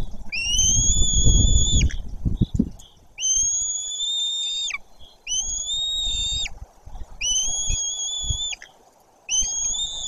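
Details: White-tailed eagles at a nest in Bory Tucholskie as a parent arrives: five long, high whistled calls, each holding steady for over a second then dropping sharply, repeated about every two seconds, with low rumbling thumps early on.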